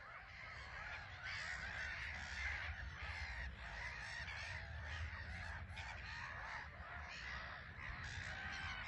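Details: Black-headed gulls at their island colony, RSPB Frampton Marsh, under grey skies, landing and lifting off; a loud, continuous din of harsh, nasal, repeated cries from numerous birds, with a low rumble beneath.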